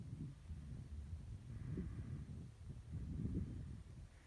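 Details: Greater prairie-chickens at Mead State Wildlife Area, Wisconsin, give low, hollow, moaning calls that swell and fade about every one and a half seconds over a steady low rumble.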